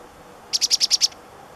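A Black-capped Chickadee gives a quick burst of six high, thin notes, evenly spaced about a tenth of a second apart, against a quiet background.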